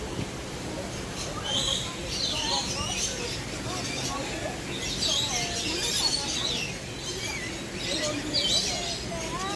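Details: A flock of rainbow lorikeets (Trichoglossus moluccanus) at Jurong Bird Park, Singapore, gives shrill, scratchy squeaks and screeches in overlapping bursts, with faint voices and background noise underneath.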